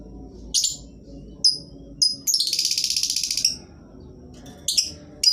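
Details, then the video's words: Lovebird song used as a lure for reluctant singers: a few sharp high chirps, then a dense buzzing rattle lasting over a second, followed by more scattered shrill chirps. "Lovebird jenis apapun dijamin pasti ikut bunyi, pancingan ampuh bagi burung yang malas bunyi"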